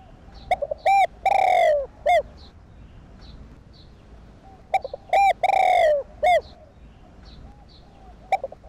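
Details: Cooing of a spotted dove (cu đất), used to stimulate decoy birds. Two full phrases sound, each with short hoots, a loud drawn-out falling coo and a final note. The phrases are separated by several quiet seconds.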